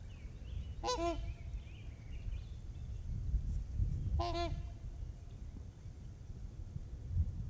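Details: Trumpeter swans on Horseshoe Lake alongside geese: two separate bursts of resonant, bugling honks about three seconds apart over low wind rumble, with thin birdsong in the background.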